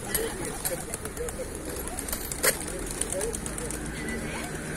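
A flock of pigeons gives soft, low, overlapping coos and murmurs, with a steady outdoor hum and faint voices behind.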